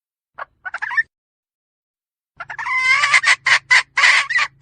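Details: Hen making a few short broken clucks, a pause, then a burst of rising, strained nasal notes running into a string of harsh cackles. A faint low hum runs underneath.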